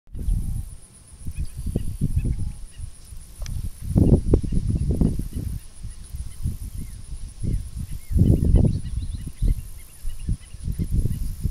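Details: Roseate Spoonbill at Bear Island WMA, South Carolina, giving low, guttural grunts in irregular bursts, clustered around the middle and end, over a faint steady high-pitched whine.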